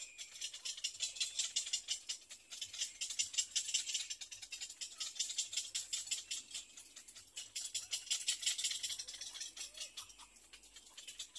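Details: Two very hungry little egret chicks beg with a dry, rapid rattling tick, a steady stream of harsh clicks in pulsing bursts of about three per second, with no other clear sounds.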